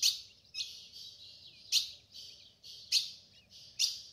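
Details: Calls of a female ultramarine grosbeak from the caatinga sertão, meant to warm up a male's song: loud abrupt chips about every second, linked by continuous buzzy, rasping high notes.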